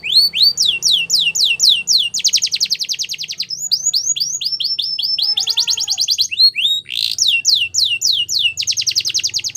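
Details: Belgian canary champion song used for training young canaries, alternating falling whistled notes in series with dense buzzy trills, each tour lasting one to two seconds.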